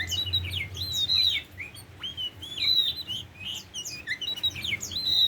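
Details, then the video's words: Oriental magpie-robin, tame, sings clear whistled phrases with smooth upward and downward slides and quick chirps, nearly continuous, over a quiet low hum. "Burung Kacer Jinak"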